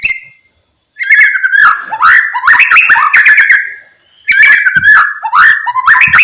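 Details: White-rumped shama song used to rouse silent shamas into singing: a brief high note, a pause, then loud rapid bursts of varied whistles and sweeping slurred phrases that repeat after a second short gap.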